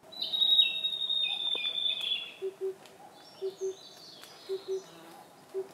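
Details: In Russia's Amur Oblast, Khingan State Nature Reserve, a wild blue-and-white flycatcher delivers a bright, sweet whistled phrase with a falling tail, then fainter high notes; low paired hoots of an Oriental cuckoo recur steadily beneath.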